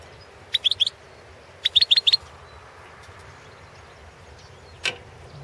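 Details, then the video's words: European goldfinch (Carduelis carduelis balcanica) song, recorded as a 2016 world goldfinch song championship entry: two quick bursts of bright tinkling twitters, four or five high notes each, then a single note, over a soft hiss. "Pesma štiglića"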